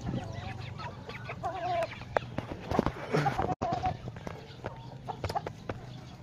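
Chickens cluck in short, mid-pitched bursts with a few wavering drawn-out notes, over a steady low hum and scattered clicks and knocks.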